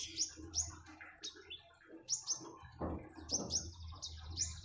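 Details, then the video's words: Common iora song over splashing water: bursts of sharp high chirps and brief rising whistles in uneven groups, one long thin whistle in the middle, and water murmuring steadily below. "Kicauan burung "KONIN""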